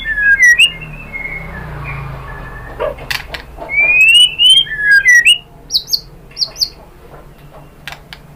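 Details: White-rumped shama lure song: fluty whistles and swooping slurs broken by clicks and harsh notes, then a run of short high paired whistles, with a soft low hum underneath.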